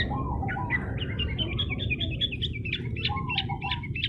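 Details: Long-tailed shrike singing to provoke rival birds: a busy run of varied chattering and squeaky notes, with a lower warbled phrase repeated beneath. A steady low rumble of background noise runs throughout.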